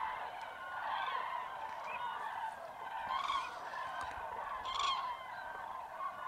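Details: Massed common cranes at a dawn roost in fog, Tablas de Daimiel National Park, Spain, in mid-January. Many birds trumpet at once in a thick chorus, with sharper calls rising above it every second or so. Geese and teal are among them.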